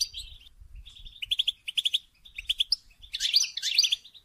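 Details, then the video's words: Mating-stimulation song of a goldfinch: a steady series of short pulsed chirps repeated several times a second, ending in two loud tangled buzzy twitters. "Song And Stimulating Goldfinch To Mate"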